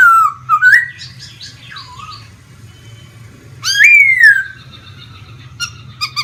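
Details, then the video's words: Vietnamese caged laughingthrush singing as it dances with spread feathers. A dipping whistle and a soft wandering warble, then after a pause one loud rising-and-falling whistle, followed by faint high notes. "khướu hót múa xòe như máy bay"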